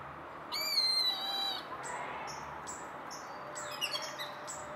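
A Purple Gallinule gives a loud, nasal, harmonic-rich call lasting about a second, followed by several short, high, clipped notes and a few quick descending squeaks.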